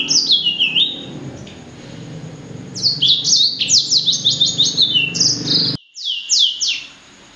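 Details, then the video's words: Blacksang, a cross between blackthroat and sanger, sings a short phrase of falling whistles, pauses, then bursts into a rapid run of sharp high downward sweeps, about three per second, with an abrupt cut near the end. "Kicau Merdu Blacksang Gacor"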